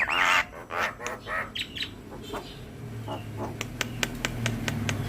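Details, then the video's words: Javan myna (jalak kebo) singing as a master recording for other mynas: a few loud harsh rising notes, then quieter sharp ticks over a constant low hum. "Jalak Kebo Gacor Manggut2 - Pancingan dan Masteran Semua Jenis Burung Jalak"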